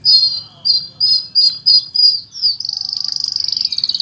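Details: Oriental magpie-robin in song with cricket mimicry: six or seven short, evenly spaced whistled chirps, then a rapid cricket-like pulsing trill continuing to the end.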